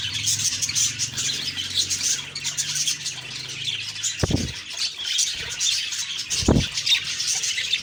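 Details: Many budgies chirping in the morning, high chattering twitter throughout, over a low droning hum and two soft bumps near the end.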